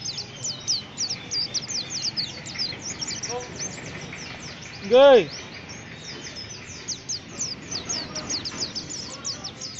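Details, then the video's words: White-eye giving rough chirping: quick, thin, high chirps running almost without pause, briefly covered midway by a loud, wavering, lower voice-like sound, with a low background hum. "Pleci tuli lulit lulit.trus ngriwik kasar"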